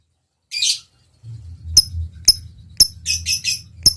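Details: Lovebird recorded to stir others into long chatter: an opening harsh buzzy note, then sharp high chirps with a quick rattling cluster in the middle, over a soft low hum.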